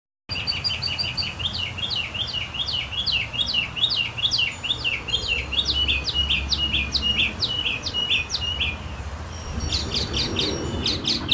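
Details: Northern mockingbird singing in early summer, just before the summer solstice: fast series of sharp downward-sweeping chirps repeated over two times per second, a brief pause, then a new burst of higher notes, over low background rumble.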